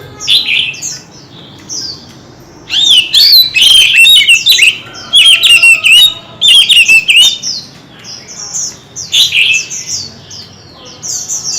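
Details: Oriental magpie-robins competing in song, showing many voices: short high twitters give way to loud, strident bursts of warbled whistles and harsh chattering notes, separated by brief lulls of softer high chirping.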